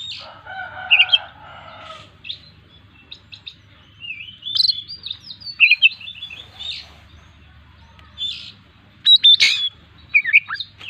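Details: Oriental magpie-robin in full song packed with varied imitated phrases, offered as a lure for other birds: scattered bright chirps, whistled slurs and trills with short pauses, a lower buzzy burst at the start, and a faint low hum throughout.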